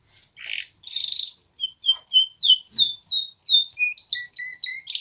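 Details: Singing Polish male canaries deliver a varied chain of sharp downward-sweeping whistled notes, several per second, opening with a brief buzzy burst and ending in lower paired chirps.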